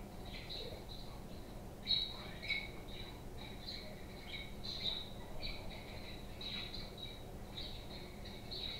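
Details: Pet budgerigars chirping: a steady stream of short, high chirps and squawky notes, many overlapping, with a few louder calls near two and five seconds over a low background hum.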